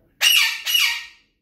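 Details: Talking parrot kept indoors, answering a person's questions with two harsh, loud, high squawks, the second shorter, in a small room.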